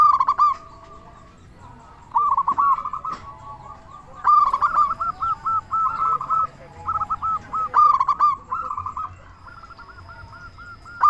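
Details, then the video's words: Zebra dove of a local type, sung loudly to draw answers from other doves: after a quiet start, several bouts of rippling, gurgling coo notes, each a few seconds long with short silences between. "Perkutut Lokal Gacor Suara Besar Pancingan Burung Perkutut Bikin Langsung Nyaut"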